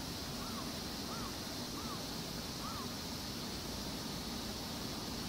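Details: Black-winged stilt, 15 August 2015, calling in an apparent exchange with a second bird: four short, yelping notes, each rising then falling, under a second apart, half-buried in steady roar of wind or rushing water.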